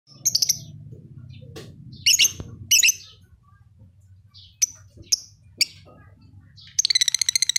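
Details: Caged lovebird in Leuwimunding singing actively: loud harsh chirps and squeaky notes in clusters, bursts of rapid stuttering notes at start and end, sharp clicks between, over a low steady hum.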